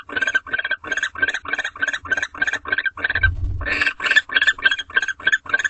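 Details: Barn owl pair mating in a nest box late at night in March, without food being brought: a steady run of short nasal twittering notes, about three per second, with a low thump midway.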